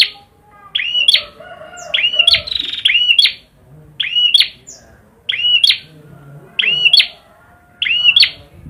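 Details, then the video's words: Prinia singing vigorously: short, bright chirping phrases, each under a second with sharp rising and falling notes, repeated about every second, seven phrases in all with quiet gaps between. "burung perjak gacor"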